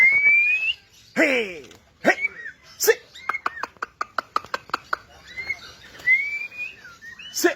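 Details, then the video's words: White-rumped shama producing rising whistles, harsh rasping bursts and a fast sequence of crisp clicks, closing with smooth upward-sliding whistled notes. "MURAI BATU GACOR ! NEMBAK ABIS BIKIN EMOSI"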